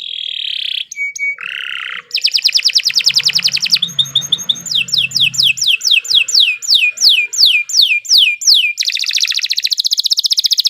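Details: Canary tutor song: a nasal whistle and short notes, then a fast buzzy trill, a series of loud downslurred sweeps repeated about once a third of a second, and a closing rapid trill.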